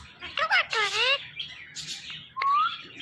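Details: Indian ringneck parakeet kept as a pet, giving a quick run of harsh, harmonic chevron-shaped notes that rise and fall, then a smooth rising whistle near the end; faint background hum.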